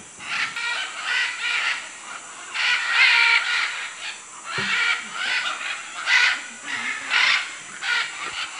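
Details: Several macaws in Manu, Peru calling with rough, scratchy squawks that overlap and come in irregular clusters, set against a hissing natural background.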